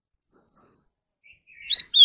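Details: Oriental magpie-robin singing in a morning voice-training session: two faint, thin high whistles, then a louder burst of warbled, slurred notes rising sharply at the end.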